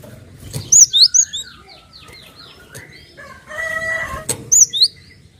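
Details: Cinereous tit sound used as a lure to make other birds sing: a fast phrase of four high whistles, soft chirps in between, then a short repeat of two whistles near the end.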